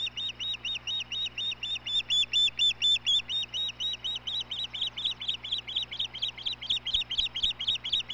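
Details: Osprey at the Hellgate Ospreys nest, 17 May 2016, as the male brings food to the female: loud, high whistled chirps with a sharp rise and fall, repeated steadily about twice a second over a low steady hum.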